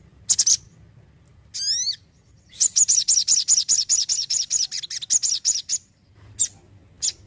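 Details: ['Energetic Crimson sunbird song: a short high chirp burst, a sweeping harmonic note, then a fast run of about twenty sharp, high-pitched notes over three seconds, ending with scattered chirps.']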